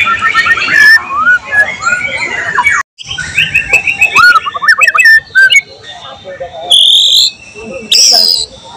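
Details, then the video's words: Strongly singing white-rumped shama with borrowed phrases from other birds, July 2023: varied whistled phrases and rapid chips, a brief break, then high sustained buzzy whistles and scattered sharp notes. "volume siulan murai batu gacor tembus materi isian"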